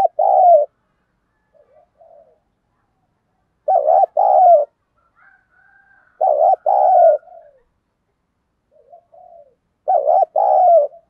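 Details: Caged lure spotted dove in thổ voice style giving loud two-part coos about every three seconds, each a wobbling note then a longer falling coo, with faint soft coos between phrases.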